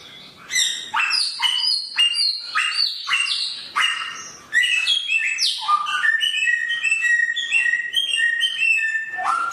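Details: Samyong bird with a sharp voice pouring out a loud, varied song of short sharp whistles, then a rapid, steady string of ringing notes near the end.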